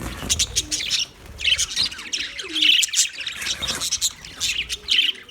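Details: Australian aviary budgerigars chirping and warbling in repeated high bursts, a chorus of several birds, with a faint lower cooing note briefly heard beneath.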